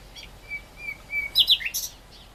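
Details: Great reed warbler singing: thin drawn-out whistles, then a cluster of loud, harsh, chattering high notes near the end.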